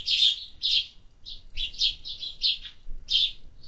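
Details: Sparrows at a summer feeder give loud, buzzy chirps in quick succession, some running together into a short chattering string.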